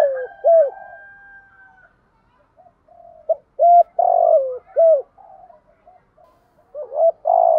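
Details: Spotted dove cooing to call and challenge rivals to fight, used to provoke a decoy bird: a few soft low coos, a pause, then bursts of short hollow coos with one drawn-out, falling note, then another burst near the end.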